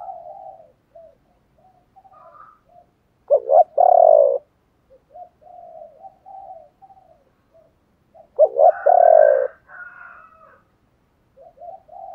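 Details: Spotted doves cooing to encourage other doves to sing, male and female included: two loud bursts of quick notes ending in a long drawn coo, separated by many soft, low murmured coos.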